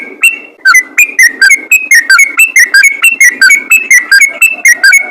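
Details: Rapid 'ropel' song of a sooty-headed bulbul, used to draw other bulbuls into singing; a dense run of loud, slurred, whistled chirps, several each second, without pause.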